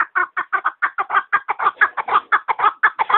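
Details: Chukar partridge uttering loud, raspy chuk notes in quick succession, about five in each second-long stretch, slightly echoing as if indoors.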